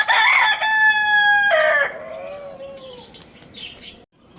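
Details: Morning crow of a Lohmann Brown rooster at Lalukhet bird market, loud and raspy: a strong two-part call, a sustained harmonic note breaking into a falling drawn-out tail, with faint chirps of small birds behind.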